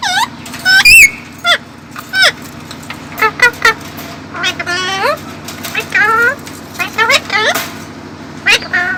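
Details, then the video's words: Pet parrot, a female, dancing and talking to herself in a mirror indoors: loud bursts of mimicked speech-like chatter mixed with sharp whistles and squawks, a steady low hum underneath. "Parrot dancing and talking to itself in the mirror"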